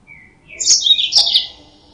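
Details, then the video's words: One brief high-pitched twittering phrase from a yellow-fronted canary, played as a lure to attract birds, made of rapid sliding chirps lasting about a second, with a soft lead-in note. "Suara Burung Mozambik Buat Pancingan"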